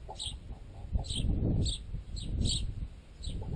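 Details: Sparrows, adults together with begging-age fledglings, gather at a chunk of baguette in a tent guy line. Short, high chirps repeat about twice a second over a loud, low rumble.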